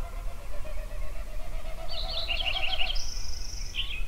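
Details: Songbird at sunrise in Yellowstone: a long run of rapid evenly repeated notes, then a twittering phrase and a high drawn-out buzzy trill, over a deep continuous rumble.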